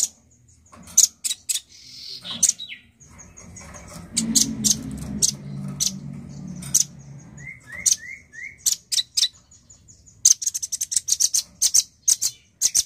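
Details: Male nuthatch singing energetically: bursts of sharp, very high piping notes, a quick run of three descending whistled slurs, then a rapid closing volley of many pips, with low rumbling background noise midway.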